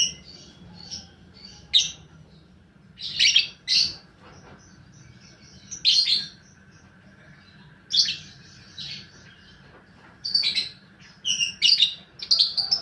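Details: Lure recording of a paud balibu fighter lovebird for stimulating other lovebirds: short high shrill chirps in irregular clusters, separated by quiet gaps.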